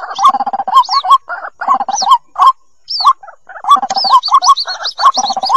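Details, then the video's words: Waterhen chick calling, white-breasted waterhen, meant to lure hidden adults for trapping: clusters of rising chirpy notes and churring chatter, a brief silence, then a dense run of high squealing slurs. "Mp3 suara anakan ruak ruak"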